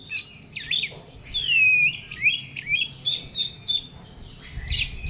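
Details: Oriental magpie-robin in an agitated, heated song: loud, sweeping whistles that slide downward, mixed with quick, chattering phrases delivered in rapid succession.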